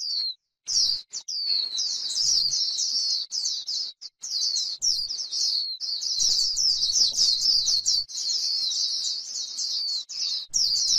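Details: Singing on grassland, a white-eye gives the líu style meant to stir other birds: choppy bursts at first, then a long unbroken run of high, quick, buzzy twitters, with faint low sounds.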